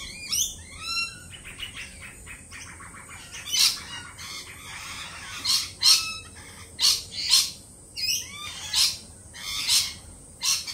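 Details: Lorikeets at a feeding spot, jittery after a peregrine falcon attack earlier in the week, giving harsh, high screeches in bursts about once a second, with softer chattering and other birds calling between them.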